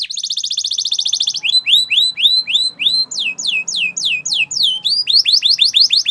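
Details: Spanish Timbrado-style canary training song: a brief fast bubbling trill, then series of clear upward-curving whistled notes repeated about four per second, changing tour to steep downslurs and back to rising notes.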